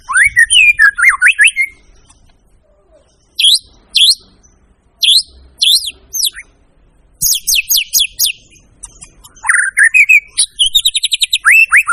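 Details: Loud white-rumped shama singing in separate bursts: rising whistled trills, sharp high chattering phrases and fast repeated piercing notes, with short silent pauses between the phrases.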